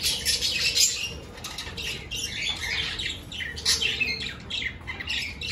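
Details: Caged budgerigars in an aviary at the start of breeding season, with clay pots put up for nesting. Sharp chirps and squawks come in uneven bursts over a constant high twitter, with some wing flutters.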